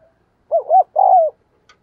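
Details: One cooing phrase from a decoy spotted dove meant to stir up wild birds: two short, upward-bending notes run together, then a longer, steady coo that slides down at the end.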